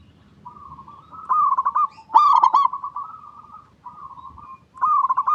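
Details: Local zebra dove (perkutut) song meant as a lure to set other doves singing; rolling, warbled cooing phrases, with a sharp, loud burst of staccato notes in the middle and another starting at the end.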